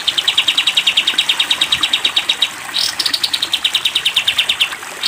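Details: Cage-bird training recording of sooty-headed bulbul, 'tembak panjang' type: a fast high trill, a brief break with a sharp rising note, then a second rapid pulsed trill descending slightly in pitch.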